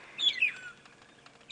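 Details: Magpie (long-tailed) shrikes at sunrise on a morning safari drive, 26 September 2016, chirping noisily and calling in response: two quick clear whistled notes, the second slurring down, a faint rustle, then another note starting.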